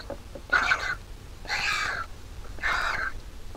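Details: Vulture nestling begging while its mother feeds it in the nest: three harsh, hoarse squealing calls about a second apart over steady low background noise.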